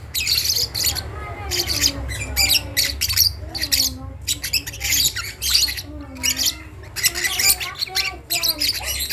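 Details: Young lovebird chick learning to make sounds: rapid bursts of harsh, raspy squawks repeated in quick runs, with faint lower wavering tonal notes beneath and a steady low hum in the background.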